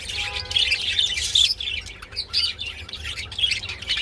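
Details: Budgerigars mating, with loud squeaky warbling and chirps in the first second and a half, then patchier bursts of scratchy chatter and short whistles.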